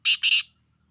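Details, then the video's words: Black francolin call made of two loud, harsh, grating bursts in quick succession, followed by a faint high thin note. "kal #kalateetarkiawaz"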